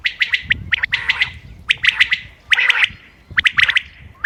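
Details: Common quail calls recorded 28 May 2025 for hunting. Rapid, sharp notes group into short bursts, mixed with hoarse, smeared squawks. Small gaps separate the bursts.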